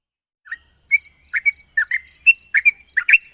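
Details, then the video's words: Yellow-vented bulbul singing, a recording meant to make stalled birds respond: quick liquid chirps and slurred whistles in pairs, a little over one per second, with soft high ticks and a constant hiss. "Burung trucuk macet bunyi dan mandek pasti nyaut dengar suara burung trucuk ini"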